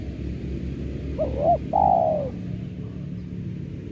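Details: Lure recording of a spotted dove for trapping: a quiet two-part coo, a short looping note then a drawn-out falling coo, set against steady low-pitched noise and hum.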